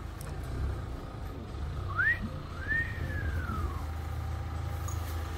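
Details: A tame family cockatiel in a pet shop gives two clear whistles: a short rising note, then a longer one that swoops up and slowly falls, over a low rumble of traffic.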